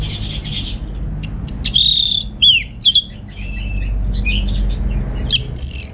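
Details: Home-kept orange-headed thrush in North Bali singing in receh style: scattered sharp high notes, then clear downslurred whistles and varied short phrases with small gaps between them, faint low hum behind.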